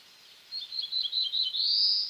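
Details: Black-throated blue warbler singing: a quick run of short high notes that ends in a drawn-out buzzy note rising upward, heard clearly over a quiet background.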